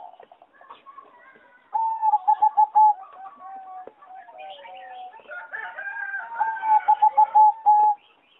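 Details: Competition-bred singing zebra dove, heard in a flight-cage aviary on 26 April 2014: quick, evenly pulsed coos at a steady pitch, gliding slurred notes, then a second fast burst of clipped cooing with higher chatter behind.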